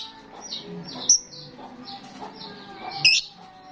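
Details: Starling in full voice, played to draw in starlings: soft rambling chatter broken by two loud, piercing, clipped whistled squawks about two seconds apart.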